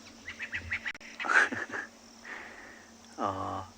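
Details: Crested francolins give a run of harsh, rhythmic notes on an afternoon safari in a South African reserve on 10 July 2020, with a Natal spurfowl's raspy call, a faint grey-headed bushshrike and doves, and a voice near the end.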